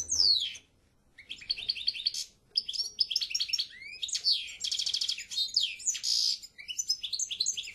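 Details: European goldfinch singing a rich, nearly unbroken phrase: descending slurs, repeated twittered notes, rattling buzzy trills and a wheezy drawn note, all high and rapid.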